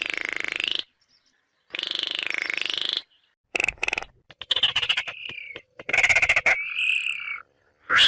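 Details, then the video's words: Baillon's crake giving dry, frog-like rattles: two long rattling bursts of about a second each, then shorter stuttering rattles and clicks. "Baillon's Crake Bird Sound"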